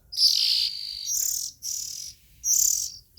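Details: Young Oriental magpie-robins in three loud rasping hisses, high and noisy, each lasting about half a second, separated by short breaks.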